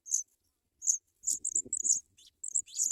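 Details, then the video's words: Nestling African pipits begging as adult birds bring white butterflies to feed them: rapid bursts of very high, thin squeaky peeps, one after another, with soft low rustling and shuffling in the nest. "African pipit Birds bring white butterflies for babies to eat"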